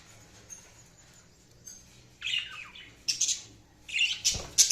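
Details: Budgies chattering after a quiet start: raspy warbled phrases, then bright, sharp chirps growing louder, with a knock near the end.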